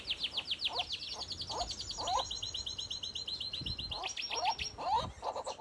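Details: A canary in a garden aviary during the middle-to-late breeding season sings fast, bright trills: a run of quick falling notes, then a long steady rattling trill, with softer chirps from other aviary birds underneath.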